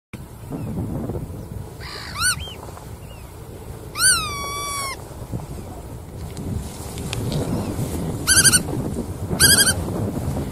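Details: Bar-tailed godwit giving short nasal, harmonic-rich calls that arch up and down, heard singly and in quick doubled bursts at irregular intervals, over a steady low rumble of background noise.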